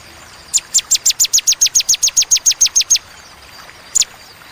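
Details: Bar-winged prinia giving a "tembakan" song: around fifteen piercing, very high notes dropping steeply in pitch, spaced evenly over two and a half seconds, then one last note after a pause.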